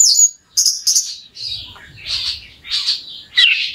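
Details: Orange-headed thrush singing as a lure to provoke another bird: high sharp notes, then rougher, buzzy, scratchy phrases repeated in short bursts about every half second to second.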